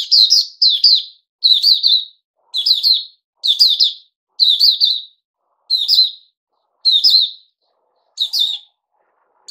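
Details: Caged bulbul, Puteh Raja, part of a feeding experiment with fruit juice, mealworm and a health drink, sings steadily. About ten short, bubbly two-note phrases follow each other in quick regular succession.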